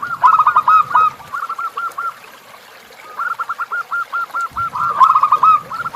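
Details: Zebra dove tutor song for training captive birds, with a river backdrop: quick bursts of repeated arched cooing notes, a quiet gap mid-clip, then a longer steady series over low rushing noise.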